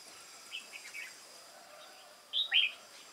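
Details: Wild-caught Red-whiskered bulbul in a cage singing competitively on 22 October 2018. A few soft whistles lead into one loud, rich, slurred two-note phrase near the end.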